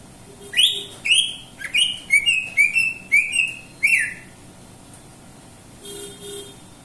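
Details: Greater green leafbird song: a run of about seven loud, bright whistled notes sliding upward, each note about half a second apart, then a brief pause and a faint softer double note near the end.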